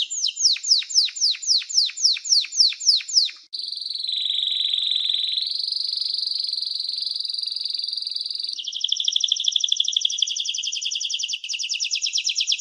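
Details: Canary singing varied phrases: a run of sharp descending chirps, then a long sustained whistled tone that steps up in pitch, followed by a rapid buzzy rolling trill.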